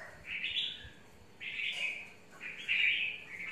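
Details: Caged red-whiskered bulbul, mộc type, described as eager to confront another bird; three short, bright, slurred whistled phrases spaced over a few seconds, with a little background hiss.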